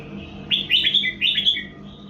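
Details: Song of a red-whiskered bulbul from 2024, kept for training young birds: two rapid bursts of liquid, warbling whistles sliding up and down, over a constant faint low hum.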